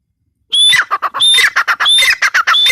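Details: Female grey francolin calling: loud harsh squawking notes in quick succession, each with a high clear whistled tone over grating lower parts, after half a second of silence.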